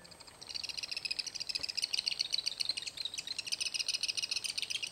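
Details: Black-backed woodpecker at its nest site, Grand Teton National Park, Wyoming, 19 June 2012: a dense, continuous chatter of high, buzzy chirps, several notes a second, almost without pause over faint hiss.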